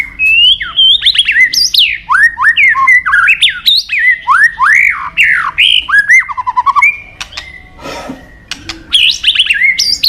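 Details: White-rumped shama, a songbird much sought after by songbird keepers, singing loud, rich whistled phrases with rising and falling sweeps, quick trills and sharp clicks, nearly nonstop, with a brief pause near the end.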